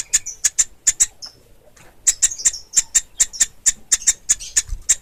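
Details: Nestling of the pelatuk ulam woodpecker: sharp, very high clicking chips in quick regular runs, a silent break near the second second, then a steady rhythmic series resumes.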